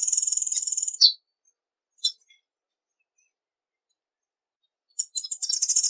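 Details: Tanager from Latin America: a high, buzzy, fast trill, then a sharp note, a long silence, an isolated chirp, and another quick high twittering burst.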